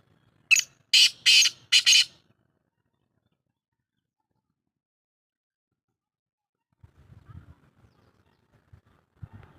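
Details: Black francolin (Patha Kala Teetar) calling on 1 March 2024: four loud, harsh, scratchy notes in quick succession over under two seconds, followed by quiet with faint low thumps.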